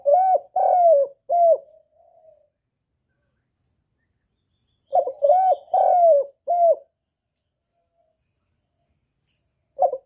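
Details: Spotted dove cooing to lure other doves: two bursts of four or five low, husky coos, each note slightly arched and falling, separated by a long silent pause, with a soft trailing note after the first burst.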